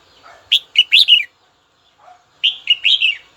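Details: Red-whiskered bulbul song meant to call a rival and fire up a bird: two bright, quick whistled phrases of about four notes each, roughly two seconds apart, each preceded by a faint, low, soft note.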